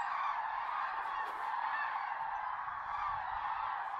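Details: At sunrise in the Tister Bauernmoor, a watery moor under heavy cloud, a flock of Common cranes keeps up a thick, steady chorus of overlapping trumpeting calls.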